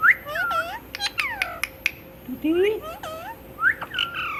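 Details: Talking pet parrot that copies human words, reportedly saying 'Mitthu Mitthu'. Bends of whistled tone, sharp clicks and squeaky, voice-like syllables follow one another in quick, uneven sequence.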